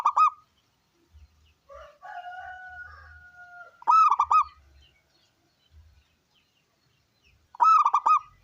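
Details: A big-voiced local zebra dove sings to provoke other doves: three bursts of rich, pulsing trilled coos, with drawn-out whistled notes from another bird sounding between them.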